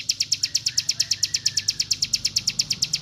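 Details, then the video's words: Rapid song of a mountain white-eye, offered as a tutor song for other birds: sharp high chirps repeated quickly and evenly, about seven each second, over a low background murmur. "BREN RAPAT CIBLEK GUNUNG UNTUK MASTERAN SEMUA BURUNG"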